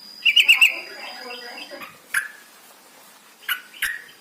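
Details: Yellow-vented bulbul song played to coax captive birds into singing: a short burst of four quick, bright chattering notes, then soft twittering and three separate sharp downslurred chirps, over a faint high electronic tone.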